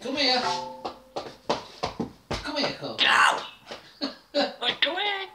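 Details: African grey parrot kept as a pet in a home, imitating human speech to order the dog out of the living room; a run of choppy speech-like syllables with rising harmonic tones, steady in a small room.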